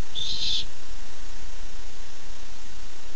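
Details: Eager barn owl owlet on a nest cam, 13 July 2015, awaiting its first treat; a single short, hoarse hiss-screech, then low continuous hum.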